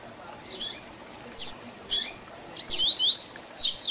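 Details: Tui Tui Zel Zel style song of a double-collared seedeater, a tutor song for training birds: several isolated high chirps spaced apart, then a rapid burst of clear, high sweeping whistles at the end.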